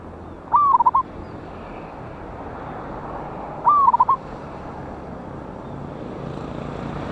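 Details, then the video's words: Wild local zebra dove (perkutut) with a big voice, recorded as a lure sound, dated 11/8/24: two cooing phrases about three seconds apart, each a drawn-out falling note followed by three or four quick rolling coos, over steady background hiss. "PANCINGAN BURUNG PERKUTUT LOKAL ALAM SUARA BESAR"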